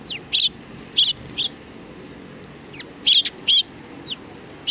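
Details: Sparrows of a Tenmangu shrine welcome a visitor, 3 July 2020: loud single and paired chirps with pauses of about two seconds, mixed with thinner, fainter chirps from other birds.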